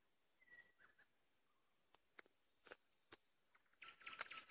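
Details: Common nightingale singing: a flat pure whistle, soft dropping notes and sharp clicks, building into a loud dense rattling trill at the close.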